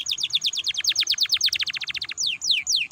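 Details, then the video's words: Canary song played to prompt other canaries to sing: rapid rolling series of downward-slurred notes, quickening into a tight trill, then a few slower, longer descending whistles. "PANCINGAN KENARI BIAR GACOR AMPUH MERANGSANG BUNYI"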